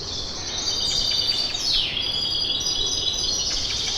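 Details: A dense morning chorus of many birds in Kipseli, Athens, Greece: high, overlapping chirps and trills, with one clear whistle sliding downward partway through.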